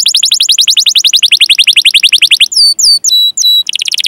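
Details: Canary song of long rolling 'cuit cuit' chirps, played to train canaries to sing: a fast trill of rising chirps at about four per second, then a few drawn-out whistled notes, then another rapid trill.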